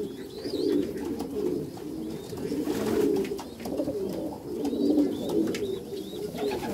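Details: Meulemans racing pigeons in a backyard loft coo in swelling low phrases roughly every two seconds, with a few thin high notes and light rustling.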